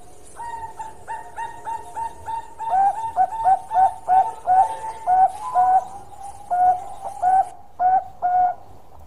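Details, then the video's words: Zebra dove of the Bangkok type, singing actively in a long song: a string of short, clipped cooing notes. They start soft and grow louder and burrier near the middle, then end in a few drawn-out coos with brief pauses. "Bunyi Suara Panjang Perkutut Bangkok Gacor"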